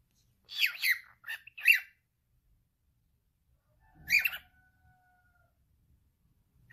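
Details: Pet male cockatiel talking: a quick run of four scratchy, chirpy syllables, a pause, then one more harsh burst followed by a thin level tone, all in quiet surroundings.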